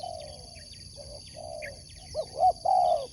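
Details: Spotted dove kept for sport dove competition, three soft drawn coos then a rising pair of hooked notes ending in a loud long falling coo; faint high chirps of other birds over a steady hum.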